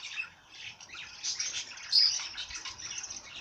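Birdsong of busy, high chirps and twitters, with notes overlapping steadily and likely from more than one bird. No other clear sounds.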